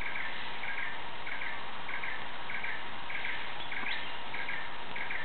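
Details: Asian barred owlet (Glaucidium cuculoides bruegeli) at Kaeng Krachan, Thailand, 17 February 2007, repeating short, mid-pitched notes about one and a half times per second over a steady hiss of background noise.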